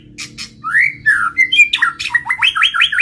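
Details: White-rumped shama singing a varied phrase: rising and falling whistled slurs, then a fast run of bright repeated down-slurred notes, with a steady low hum beneath.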